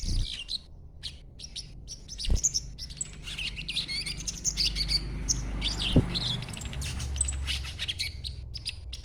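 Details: Juvenile sogon in green plumage giving its chattering lure call; scattered bursts of thin, high twitters come and go over a rumbling low background with a couple of knocks.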